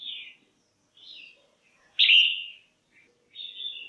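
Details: Female red-whiskered bulbul, a cage bird, calling to stimulate males or for pairing: short bright whistled notes, with one loud slurred phrase near the middle and a softer whistle at the end, separated by silent gaps.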